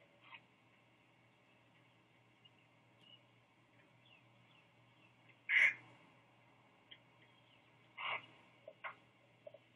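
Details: Great blue heron nestlings in Sapsucker Woods, Ithaca, NY, drowsy after a feeding by both adults: mostly quiet, broken by a sudden loud harsh squawk, then a second rasping call and a few faint short notes.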